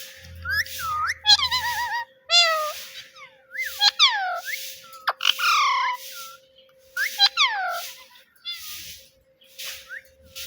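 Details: Talking pet parrot mimicking human words and repeating "Mitthu Mitthu"; clusters of sharp, rising-then-falling harmonic syllables come in bursts with short pauses, over a steady low hum and a brief low rumble at the start.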